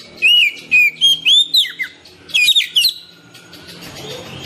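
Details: Oriental magpie-robin singing, meant to spur caged birds into song: about three seconds of loud whistles and quick twittering notes, then only soft background hiss.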